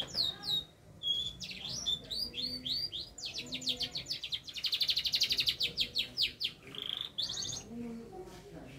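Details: Canary in vigorous song while learning head movements: sharp slurred whistles, then a long rapid rattling trill rising and fading, ending in clear looping notes.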